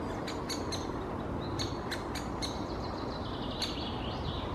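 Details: Great spotted woodpecker nestling inside its nest hole in Helsinki, Finland, in June 2021, giving sharp, high chipping calls in irregular bursts, with a few drawn-out squeaky notes, over steady low rumbling background noise.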